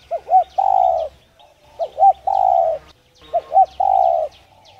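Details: Spotted dove song in a traditional voice style, played to encourage doves to coo: a double short note and a long level coo, three times in quick succession, with a low hum and distant chirping.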